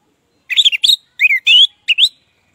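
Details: Orange-headed thrush ngeplong song serving as a lure for non-singing birds: a few short groups of sweet, slurred whistles, some rising and some falling, separated by brief gaps in otherwise quiet surroundings.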